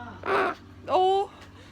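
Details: Corella, a male, talking and coughing indoors: two short hoarse, voice-like utterances, the second sliding upward and then holding a steady, buzzy tone. A low hum runs underneath.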